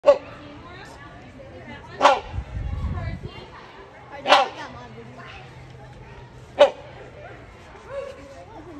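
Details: Rhinoceros hornbill at Kansas City Zoo giving loud, harsh honks about every two seconds, with people talking quietly in the background.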